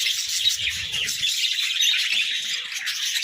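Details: Budgerigars chirping as they eat vegetables; an unbroken, bright warbling chatter from several birds, with faint soft low taps early on.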